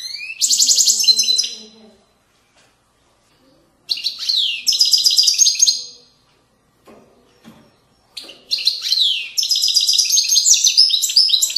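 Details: Authentic Moroccan widani song of a European goldfinch, 2020: three long, loud phrases of rapid tinkling trills and bright chattering notes, separated by short silences.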